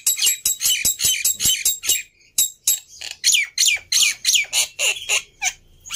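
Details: Loud harsh rasping notes from a black-winged myna in vigorous gacor song, meant as a lure to set other birds singing, repeated roughly three per second in a steady run with a brief pause midway.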